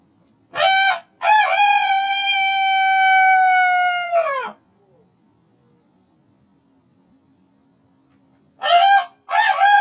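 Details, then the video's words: Rooster crowing, played back slowed four times: a short harmonic burst, then a long drawn-out crow of steady stacked tones that falls at the end, a pause of silence, then two more brief bursts of the next crow. "Sounds of roosters. How roosters communicate. Slow sounds of roosters."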